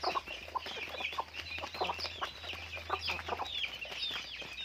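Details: Chickens raised on a farm produce rapid high chirps and short curved peeps, several callers overlapping in a constant chatter over a low background hum.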